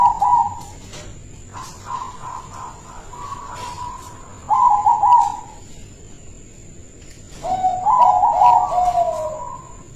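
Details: Silver local zebra dove kept caged as a lure for other doves, repeating bursts of bubbling trilled cooing, some phrases with a lower second voice, separated by short pauses over faint ticking background noise.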